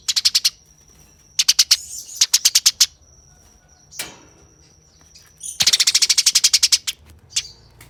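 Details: Fighting Eurasian tree sparrow giving rough, fast chattering: short runs of dense buzzy chirps broken by gaps, a soft rustle midway, then a long rapid chirp series near the end, with a thin constant high tone behind.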